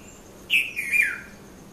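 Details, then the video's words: Morning call of a red-vented bulbul (Konda Kurulla), Mount Lavinia, Sri Lanka, 5:30–5:40 a.m., recorded on a Nikon Coolpix P510: a sharp high note followed by a warbled, descending slur, with faint high hiss behind. "Red-vented Bulbul Bird Voice | Sounds of Bulbul"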